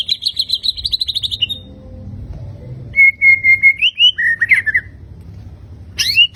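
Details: Fighter-type white-rumped shama in a showy 'tembakan' song: a fast buzzy trill for over a second, a short pause, then a run of loud ringing whistles that rise and drop, ending in a sharp upswept note.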